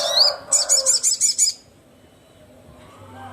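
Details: Crimson sunbird calling rivals: one rising squeaky note, then six evenly spaced, piercing high chips in about a second, followed by quiet.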